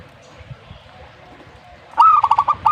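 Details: Zebra dove singing one rolling phrase that starts abruptly near the end, a clipped coo breaking into rapid pulsed, trilling notes, after a quiet stretch of low background noise.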